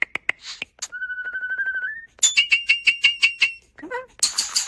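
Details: Starling mimicking sounds, including human-like noises: sharp clicks, a long steady whistled tone, a run of rapid buzzy notes repeated about six times per second, a falling wavering sound, then harsh broadband chatter.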